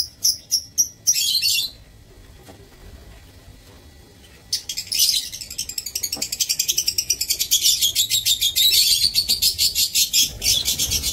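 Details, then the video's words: Lovebirds in an aviary, 15 April 2024: a few shrill chirps, a pause, then a long rapid run of high, rattling chatter repeated about three times a second. "Aviary Lovebirds"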